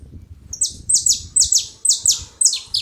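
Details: Several saffron finches together making noise: sharp, high, downward-sweeping notes repeated roughly every half second, a steady chorus of bright chips over faint low background rumble.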